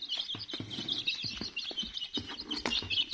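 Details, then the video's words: A group of chicken chicks keeps up steady shrill cheeping, a nearly unbroken mass of high peeps over low thumps and pattering taps. "Sounds of chirping chicks"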